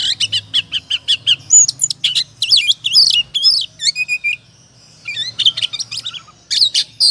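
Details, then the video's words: Excited 'ngobra' song of a kacer, or oriental magpie-robin, meant as a lure to trigger singing. A quick series of short repeated whistles opens into looping, sliding phrases and harsh notes, with a quiet spell near five seconds and a low background hum. "Pancingan suara kacer ngobra,,pasti emosi dan gacornya terpancing.."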